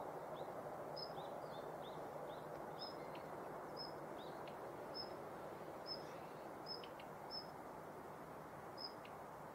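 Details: Female Daurian redstart active in the morning at Yanagishima Beach on 19 November 2021, recorded with a Nikon COOLPIX P1000: thin, high whistled notes repeated about once a second, with lower chirps and a few sharp clicks over a steady roar.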